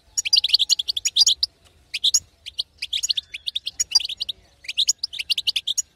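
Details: Batbata of a female European goldfinch, played to rouse a silent male: lively high-pitched chattering phrases of tinkling chirps, separated by brief gaps, with a faint low hum beneath.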